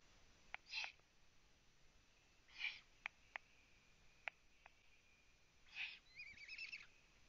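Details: Eurasian eagle-owl (Bubo bubo) at a Latvian live-camera nest, 03:27 on 9 June 2017, as the owl Bo brings prey: three harsh hissing screeches a few seconds apart, sharp clicks between, a wavering chittering rasp at the end.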